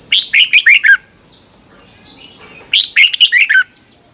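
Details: Morning training song of a red-whiskered bulbul: two quick phrases of rich, warbling whistles falling from high to lower notes, separated by a short pause, a faint thin whistle between them, and a constant high background tone.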